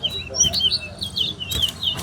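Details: Towa-towa singing in a West Coast versus West Bank competition: quick, sweet twittering phrases of high looping notes, nearly continuous, with faint knocks and counting aloud.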